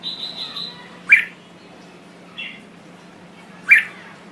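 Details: Red-whiskered bulbul from Thailand singing a soft wavering whistle, then two loud sharp chirps spaced well apart with a faint note between, over a low background hum.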